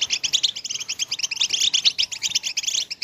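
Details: Goldfinch song meant to rouse late females for mating, in betbeta and tastasa styles: a quick run of sharp, bright, high chirps and trills, tightly packed and lively from start to end.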